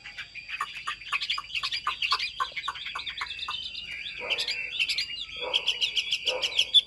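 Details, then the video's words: Chinese hwamei kept in a cage, singing well: a dense, bubbling warble of short rapid notes mixed with scratchy clicks, then longer wavering whistles toward the end. "hót tốt bài bản"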